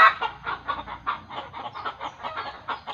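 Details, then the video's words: Chicken giving a nervous alarm, believed in the village to mean it sees a ghost: quieter, steady rapid clucks repeated about four times a second, each short and nasal. "Ketika Ayam Melihat Setan"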